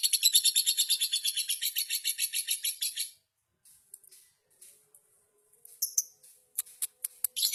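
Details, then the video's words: Lovebird in a duel among subdistrict-level contest champions, singing loudly: a three-second run of fast, high, evenly pulsed trilled notes, followed by scattered sharp chirps and short bursts. "Duel Lovebrid Gacor Juara Tingkat Kecamatan"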